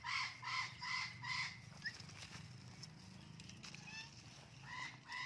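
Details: Blue-and-gold macaw, a talking pet, enjoying a garden; four loud nasal calls in quick even succession open, then a short squeak, a quiet stretch, and two more calls at the close, with low hum beneath.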